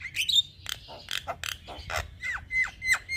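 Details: Young Javan myna singing, recorded to tutor and provoke other mynas; harsh chattering notes followed by a series of short, clear whistles that drop, then rise.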